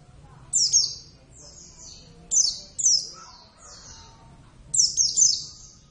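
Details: Pet Javan Oriental white-eye (Zosterops palpebrosus javanus), raised from a young bird, in lively singing form; high, thin, descending twittering phrases come in short bursts every second or two over a faint low background hum.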